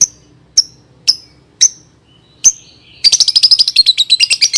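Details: Lovebird song for teaching young birds to sing: five evenly spaced sharp high ticks, a brief thin whistle, then a rapid buzzy chattering run.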